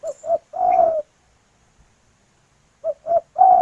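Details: Female spotted dove calling to a male: two short mellow coos followed by a longer, slightly falling croon, the three-note phrase given twice with a pause between.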